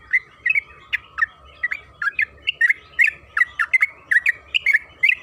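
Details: Lure song of a yellow-vented bulbul for drawing a caged bird into song: bright, liquid chirps in uneven clusters, about two or three each second, with a low hum underneath.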